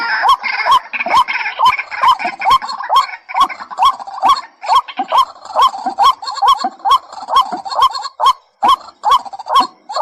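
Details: White-breasted waterhen decoy recording used to lure birds into traps: a steady series of short, harsh croaking notes repeated about twice per second, over a background of sharp clicks and a raspy, noisy layer.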